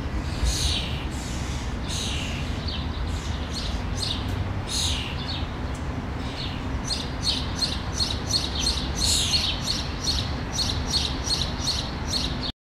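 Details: A young common starling nestling in a natural tree cavity in Helsinki, Finland, in June 2013 gives harsh, hissing rasps. They start slow, then quicken to about two or three a second, over a steady low rumble of traffic.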